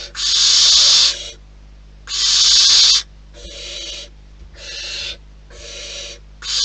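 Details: Barn owls at the nest in the wild give six rasping hisses in under seven seconds. Loud, long bursts alternate with shorter, quieter ones at roughly one-second intervals.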